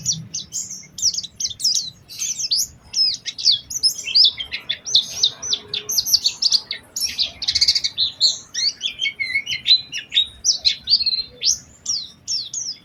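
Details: Lure song of an Oriental white-eye for drawing other white-eyes into song: a busy, high, twittering warble of quick slurred and buzzy notes, running almost without breaks.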